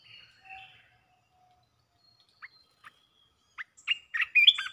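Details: Red-whiskered bulbul rapid 'poen dok' singing: a few soft whistles and sharp isolated clicks give way to an accelerating, loud cluster of warbled notes at the end.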